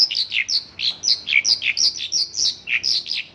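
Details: A Mongolian lark pours out its local-filled song, dense high chirps and twisting, falling notes following one another in rapid succession.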